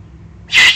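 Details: Eurasian eagle-owl juvenile, excited, Eifel, Germany, June 2020: a sudden rough hissing screech starting midway and running to the end, cut off short.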